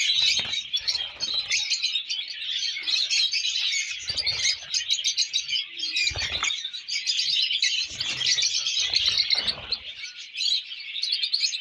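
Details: Several colour lovebird chicks keep up a steady, high-pitched chattering of rapid chirps and tweets, broken now and then by soft rustling and bumping sounds.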